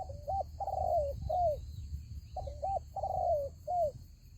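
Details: Spotted dove calling as a decoy in a fighting trap, two full cooing phrases about two seconds apart, each a hooked double note, a sustained falling coo and a shorter closing coo; constant high whine behind.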